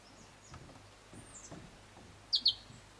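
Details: Variable sunbird (Cinnyris venustus igneiventris) song at Kibuye, Rwanda, in March 2013: a few faint, thin high notes, then two sharp, bright high chips in quick succession near the end, over a quiet outdoor background.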